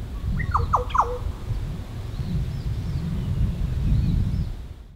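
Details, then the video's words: Green oriole (Oriolus flavocinctus) at Cattana Wetlands, Australia, in November 2016 on a windy, hot day gives three quick, loud, watery descending slurred notes, then fainter whistles over steady low wind rumble. "Green Oriole (Oriolus flavocinctus)"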